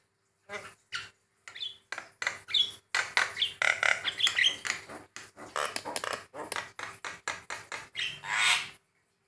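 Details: Male white-eyed Javan myna in song variations said to make other mynas respond quickly; a dense run of harsh, chattering and whistled notes in rapid bursts, broad and noisy, with short gaps between phrases.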